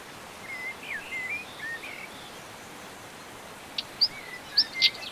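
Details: European stonechat (Common stonechat) recorded in the Montes de León, Spain, in May 2019: a few faint, thin whistles, then four sharp, hard clicks like knocked pebbles, close together near the end, over steady outdoor hiss.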